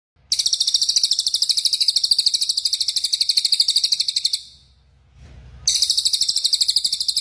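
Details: White-rumped shama singing a long training song for other birds: a very high, dry, evenly pulsed trill held for about four seconds. It breaks off into a faint low hum, then the same rapid trill starts again.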